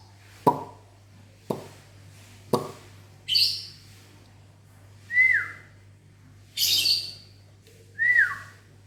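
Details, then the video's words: In a mini aviary one morning a lovebird replies to whistling with harsh, high, buzzy squawks about every two seconds, interleaved with short falling human whistles, after three sharp clicks at the start. "Disiul Lovebirdnya Nyahut Mantab"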